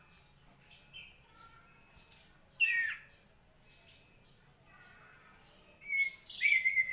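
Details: White-rumped shama singing: scattered high chirps and whistles, then a sharp descending whistled note. A steady high buzzy trill follows, ending in loud, rich whistled phrases. The background is quiet.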